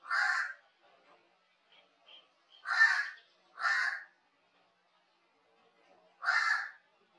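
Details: Crow calling with four loud, rasping caws spaced irregularly over several seconds, with faint softer notes in between.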